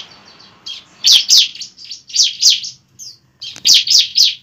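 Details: Bar-winged prinia fighting song for provoking another bird into song: rhythmic high, rasping double chips, about four per second, in bursts separated by brief gaps.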